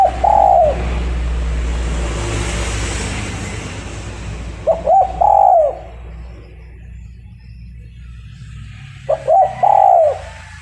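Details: Lure spotted dove for bird trapping delivers three evenly spaced cooing phrases about four and a half seconds apart. Each phrase is a couple of clipped notes and then a longer rounded coo, with a faint background hum.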